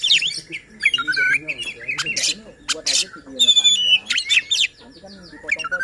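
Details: White-rumped shama singing to rouse rival shamas: a varied, rapid medley of harsh squawks, chatters and short whistled phrases, loud and continuous with brief pauses.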